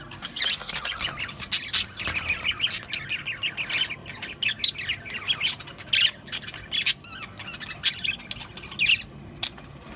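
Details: Budgerigars keep up continuous twittering and warbling for ten seconds, broken by loud clicking squawks at irregular moments.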